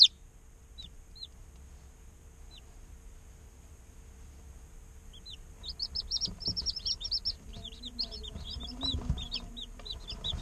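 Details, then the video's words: Day-old chicken chicks in an incubator chirping: a few isolated high peeps at first, then a dense burst of many short, downward-slurred cheeps from several chicks, with a steady faint machine hum throughout. "Chicks Chirping Sounds - Baby Chicken Sounds"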